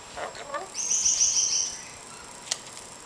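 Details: A pet lorikeet playing on a coffee table gives a shrill, rasping screech lasting about a second after a few softer lower chirps, then a sharp click.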